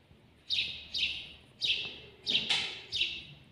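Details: Six quick, rough cheeps from a house sparrow (al-jawj) filmed at close range, uttered about twice per second with faint background noise.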